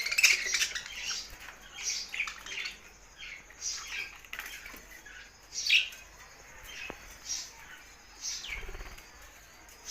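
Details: Budgies singing in scattered bursts: bright short chirps and squeaky notes spaced a second or so apart, with soft rustling between them and a low thump near the end.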